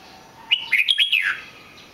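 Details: Red-whiskered bulbul singing: one short phrase of bright, slurred whistled notes, rising and falling, lasting under a second in otherwise quiet surroundings.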